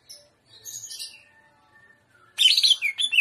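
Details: Greater green leafbird in trotolan song: soft thin high whistles and a brief quiet phrase, then a sudden loud burst of rapid, shrill chattering notes that run to the end.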